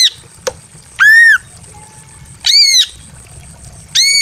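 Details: Greater green leafbird female in breeding condition, kept in a simple aviary, calling to a male: a sharp click, then three strident, ringing squawks roughly 1.5 seconds apart, with a low hum underneath.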